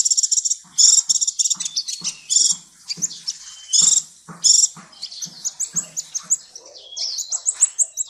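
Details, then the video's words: Sunbird training recording with busy, very high chattering: buzzy bursts and trills mixed with low clicking ticks, ending in a few thin rising whistles. "Masteran Terbaik Kolibri"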